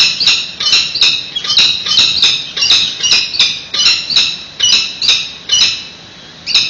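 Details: During a nest exchange at a San Francisco nest, 28 May 2017, peregrine falcons give a rapid run of harsh, scratchy high calls, about two per second, pausing briefly near the end; captured from a live webcam.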